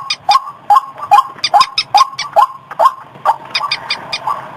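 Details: White-breasted waterhen calls used as a lure in rice fields and streams: quick repeated upward-slurred notes with raspy, high ticking bursts, fading into a softer, noisier stretch near the end.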